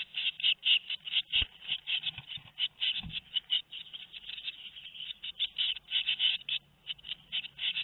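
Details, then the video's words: Nest of tit chicks aged two weeks, recorded 13 May 2019, begging with continuous high buzzy notes in quick pulses, a couple of low thumps near the start. "Les oisillons ont 2 semaines"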